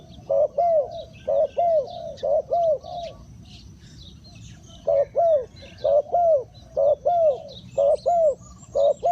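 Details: Spotted dove, chim cu gáy, used as a decoy to lure wild birds: rapid low coos in clipped, arching syllables, a run of about six, a pause, then another regular run, with faint higher chirps from other birds behind.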